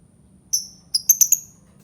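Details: Albino lovebird uttering two drawn-out high tweets followed by three quick clipped chirps, over a quiet low hum.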